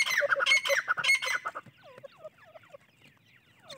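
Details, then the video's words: Francolin chicks give loud, harsh squawks at first, then many thin, slurred peeps that dip and rise, overlapping from several chicks. "teetar chicks voice"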